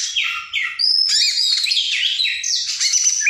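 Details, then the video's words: Oriental magpie-robin in long chattering gacor nembak song: loud, continuous, richly varied warbling of high whistles, slurs and buzzy phrases with no pauses, on a clean recording. "Masteran burung Kacer/Klacer gacor dor nembak durasi panjang"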